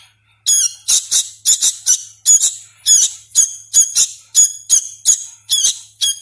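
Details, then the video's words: Hand-fed sooty-headed bulbul chick, still learning to call, starting after a brief pause into an unbroken chain of shrill, buzzy squeaks, often paired, about three per second. "suara asli kutilang anakan | burung kutilang loloh"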